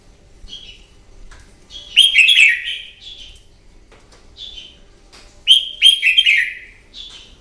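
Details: Red-whiskered bulbul fighting song, morning, from a wild-caught bird, meant to stir and train other birds: two loud, complex warbles with sweeping downslurred notes, separated by brief whistled calls, little background noise.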